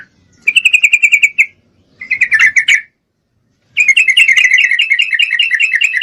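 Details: Female yellow-vented bulbul, fully in breeding condition, calling a male: a quick, evenly beaded trill, a rougher descending chatter, then a long continuous stream of rapid bubbling notes.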